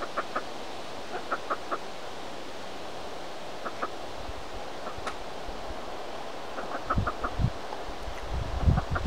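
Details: A dusky grouse walking in woods in Roosevelt National Forest, northern Colorado, on a June 20, 2015 afternoon, gives short, soft clucking notes in scattered pairs and triplets, with low rumbling background noise growing toward the end. It was perhaps a hen sitting on chicks.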